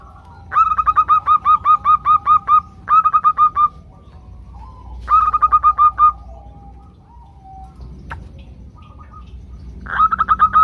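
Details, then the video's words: Group of female zebra doves calling the males, played as a lure to get doves singing: three bursts of rapid, evenly spaced whistled notes, about ten each, separated by pauses, then a fourth burst starting at the end. "ombyokan perkutut betina memanggil jantan"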